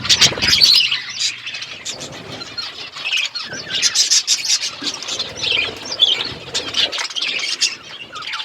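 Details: Parrot eating food on February 25, 2024, giving busy, high-pitched chirps and squeaky squeals in uneven bursts, with a brief low knock at the start.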